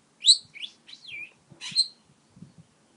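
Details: Pet parakeet flirting with a stylus while talking and chattering: a few bright, quick chirps and short warbled notes separated by brief pauses, with faint tapping between them.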